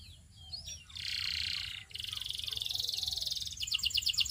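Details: Canary song made of a dense rolling trill, then a faster pulsed rattle of bright repeated notes; softer, more distant and partly blurred by background hiss.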